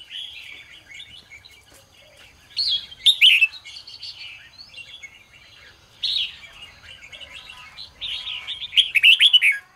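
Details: Red-whiskered bulbul pouring out a continuous morning song in the 'ché' style, soft rambling twitters broken by three louder surges of quick, fluttering whistled notes.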